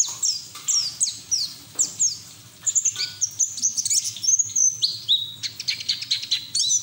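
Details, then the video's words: A white-eye sings hard with its bill open, recorded to help untrained birds start singing. A long jumble of high, squeaky downslurred notes runs into quick whistled phrases and dense chatter toward the end. "PLECI NGERIWIK TELER BUKA PARUH NGALAS UNTUK TERAPI PLECI BAHAN"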